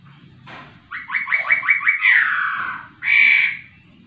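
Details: Laughingthrush singing vigorously: a quick run of about six short, downward-slurred notes, then a long harsh buzzy note and a final strong, slightly nasal note, over faint low background hum.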